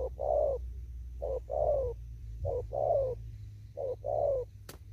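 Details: Spotted dove still living in an upland field, cooing in thúc gù style: four evenly spaced phrases, each a short note then a longer descending coo, about one per second, with a sharp click at the end.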